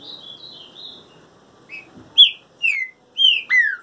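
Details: Moulting green-winged saltator sings: faint high wavering whistles, then a short note and four strong descending whistles at an even pace, the final one long and falling.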